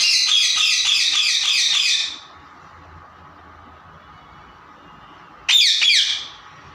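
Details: Playful pet parrots giving a long, rapid rattling squawk for about two seconds, then quiet, then another harsh burst that fades out.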